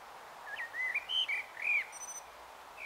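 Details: Common blackbird singing its evensong at dusk, Taunton, Somerset, 21 March 2018 shortly after 18:00; a continuous run of clear, mellow whistled notes sweeping up and down.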